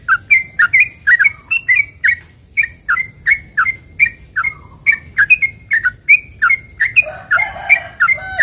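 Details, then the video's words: Sooty-headed bulbul singing 'ropel panjang', a long rapid string meant to lure other bulbuls into calling back: a steady run of short bubbly notes several per second, roughening into harsher chatter near the end. "trucukan gacor ROPEL PANJANG ini buat pancingan trucukan agar bunyi"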